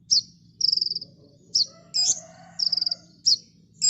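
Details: Chatty kolibri ninja sunbird on a master recording for cage birds: short high rattling trills break up piercing chip notes, with a brief rougher note in the middle.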